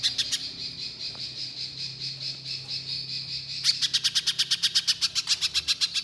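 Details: Little spiderhunter song in the 'nembak' shooting style for use as a lure: a steady high ringing tone runs under a few chips, then an unbroken rapid train of loud, bright chip notes, roughly four a second.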